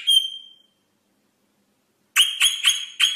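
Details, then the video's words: Rosella song: one long, clear whistled note that fades out, then a quiet gap, then four short, bright whistles in quick, even succession. "SONG ROSELLA تغريد طائر الروزيلا الجميل"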